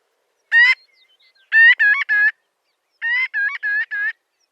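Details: Marbled godwit (Limosa fedoa), a large shorebird: a single loud, harmonic, nasal call, then a quick triplet, then a run of four similar calls, each slightly rising, with clean silence between groups.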